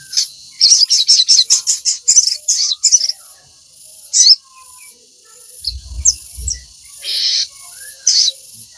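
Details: Chattering crimson sunbird song meant for training captive birds: a dense run of sharp, high trills, then scattered thin squeaks and short buzzy bursts, with a few low bumps.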